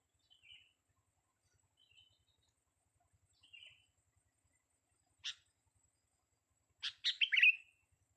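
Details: Young sooty-headed bulbul: soft short whistled notes around a second apart, then a sharp chip and a quick burst of bright, tumbling chirps near the end, with a quiet, clean background.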